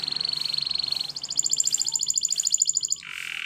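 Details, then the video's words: Spanish Timbrado canary training song: a fast rolling trill of even pulses that jumps to a higher, faster ringing roll midway, then switches to a lower buzzy tone at the end. "Canary Singing Training Video"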